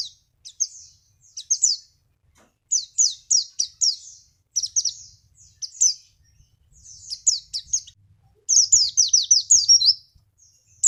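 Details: Javan white-eye song meant to draw other birds into singing: short clusters of high, rapid chirps and twitters, building to a dense run of descending notes near the end.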